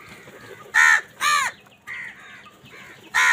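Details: Angry crows fighting over food: four loud, harsh, nasal caws about every half to one second, with softer caws from others in between.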